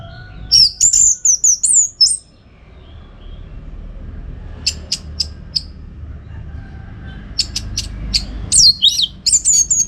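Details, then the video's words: Orange-headed thrush song for training contest birds: a rapid jumble of high whistles and twitters, then scattered sharp clicking notes, and another burst of varied high phrases at the end. "Masteran ANIS MERAH Gacor Untuk Melatih Mental Burung Untuk Gantangan"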